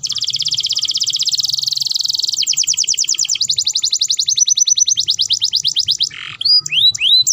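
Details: Canary in breeding condition singing to stimulate mating, in a rapid buzzy trill that gives way to rolling rattles, then a few loud rising whistled notes near the end, over a faint low hum.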